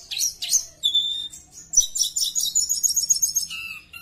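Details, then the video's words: Javan bush lark in full, vigorous song, used as a lure to get other larks singing: rapid high twittering and buzzy notes, a sustained thin whistle, then a dense run of sharp chirps and a falling whistle near the end. "Pancingan Suara Tledekan Gacor buka paruh Cocok Untuk Tledekan dijamin pasti ikut bunyi"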